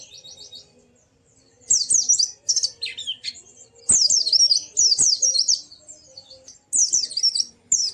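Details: White-eye, cage bird, recording used to make a silent bird start singing: soft high trills at first, then loud bursts of rapid, high wavering chirps about every second.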